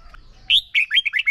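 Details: Red-whiskered bulbul lure bird singing a contest song for voice training. A short, lively phrase: a sharp rising note, then four quick, rolling warbled notes in rapid succession.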